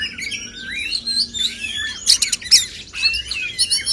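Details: Singing contest of male oriental magpie-robins to stimulate singing; varied whistles and slurred notes, then harsh buzzy chattering bursts around the middle, softer and somewhat distant-sounding overall.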